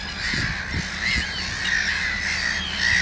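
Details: Common terns with chicks only a few days old in Gothenburg's archipelago, Sweden: harsh, grating, overlapping calls sound almost without pause, with low gusty wind thumps beneath.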